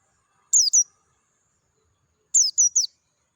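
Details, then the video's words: Oriental white-eye of the Dakun type in natural surroundings, singing clearly in ngalas style: a high descending pair of chirps, a pause, then a faster trio of similar thin notes. "PLECI DAKUN NGALAS SUARA JERNIH"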